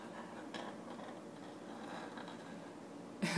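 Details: Quiet indoor room tone with faint whispering and soft household rustles, ending in a sudden loud clatter.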